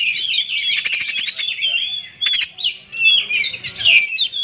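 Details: An oriental magpie-robin sings a provoking song meant to get other magpie-robins singing. The dense warbling phrases are laced with two buzzy, rattling trills and end in sweeping high whistled slurs.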